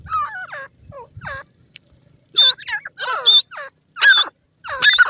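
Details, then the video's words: Pheasant chicks squabbling in a forest, giving a jumble of squeaky, wavering peeps and harsher cheeps in bursts, some overlapping as several birds call at once. "pheasants chicks bird fight in the forest"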